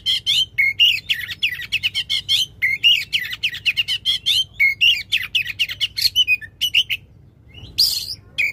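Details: Oriental magpie-robin in a loud, sustained song, played to spark a silent magpie-robin into singing; rapid chattering whistles and trills for seven seconds, a brief pause, then one harsh burst and a final whistle.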